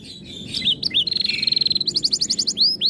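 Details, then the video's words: Canary in high breeding condition, growing more aggressive at other birds' voices: twittering notes lead into a long even high trill, then a quick rhythmic series of bright repeated notes and rising slurred whistles. "Kenari Gacor Mental Juara Birahi Tinggi Makin Galak Saat Dengar Burung Lain Bunyi"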